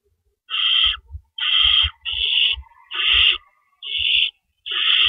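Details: Owls at the nest at 4:31 AM, April 4, 2012, amid rabbit prey deliveries; six harsh hissing bursts come about once a second, accompanied by soft, low bumps and scuffling.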